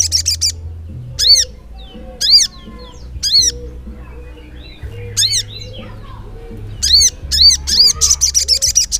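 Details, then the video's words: Crimson sunbird (sogok ontong) in 'ngleper' style song. Spaced arched high notes come about a second apart, then a quickening burst of notes turns into a trill near the end. Soft chirps and a low hum underneath. "SOGON GACOR NGLEPER"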